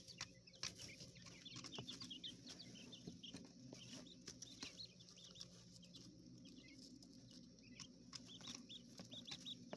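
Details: Chorus of high, short peeps from Coturnix quail chicks being raised in an enclosure in a hotel room, mixed with frequent clicks and scratching taps and a low background hum.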